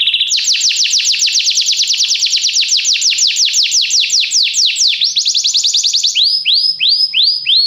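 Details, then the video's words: Canary training song to get a canary singing at once: a long, very fast rolling trill of repeated notes lasting several seconds, followed by a few swooping whistles. "Este canto canário inspira o apetite do seu canário para cantar imediatamente"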